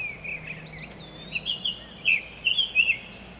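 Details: Wild summer tanager in full song, giving a string of brief burry whistled notes at mid-high pitch that quicken toward the end, with a thin gliding whistle from another bird and a constant shrill insect hum behind.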